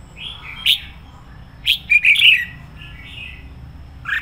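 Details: Red-whiskered bulbul decoy bird with a full, fiery song: a click and soft whistles, then a loud tumbling run of bright warbled notes, fading into gentle slurred whistles.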